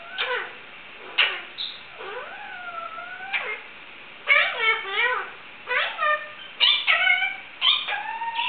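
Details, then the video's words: Pet Indian ringneck parakeet indoors mimicking sounds; sliding whistles and warbling notes mixed with harsh squawks and clipped speech-like syllables, pausing briefly between phrases. "My Indian ringneck barks, meows, makes chicken sounds and tries to sing!"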